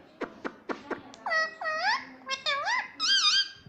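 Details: Talking pet parrot kept indoors, said to say 'mummy' and 'papa'. Four sharp clicks come first, then a run of speech-like, wavering phrases that rise and fall, ending on a higher warbling note.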